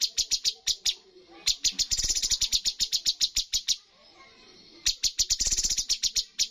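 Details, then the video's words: High-scoring bird-competition bulbul in full 'tembakan' delivery: spaced high chips speeding into a long rapid rattle, a brief lull, then a fresh fast burst of sharp notes. "cucak cungkok full tembakan poin tertinggi dalam perlombaan burung"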